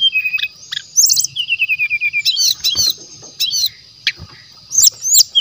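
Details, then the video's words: Brown-chested jungle flycatcher song used as a lure: short whistled phrases, then a quick falling series of about eight notes, then scattered sharp chips and twittering over a thin steady hum. "TES MATERI PASTOL HUTAN ASLI JEBOL.!! SRDC GACOR DENGAN SUARA ASLI ALAM, PANCINGAN SRDC MASTERAN"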